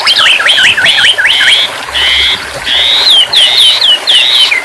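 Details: White-rumped shama song played as therapy for a stressed bird that has stopped singing: loud, clear whistled notes in quick looping up-and-down phrases, then longer sustained whistles with falling ends, over a dense bed of hiss and other chirping.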